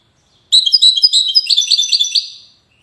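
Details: European goldfinch from the city of Safi, Morocco, in a rapid twittering song phrase lasting about two seconds, bright tinkling notes with buzzy trills, fading at the end.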